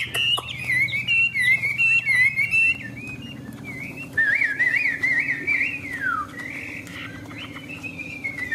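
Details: Tame Chinese hwamei, a displaying bird, singing loud whistled phrases that rise and fall, rich and varied, with quick trills early on, a pause near three seconds, then a long warbling run sliding downward, over a steady low hum.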